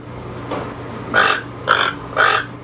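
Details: Toucan giving three harsh, croaking calls, each a short broad rasp, the first faint, then two louder ones about half a second apart, with a steady low hum beneath.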